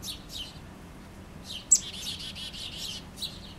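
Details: A chickadee taking food outside a house, heard from an open back window; a few high notes, then a fast series of about eight buzzy dee notes in a row, with faint low hum.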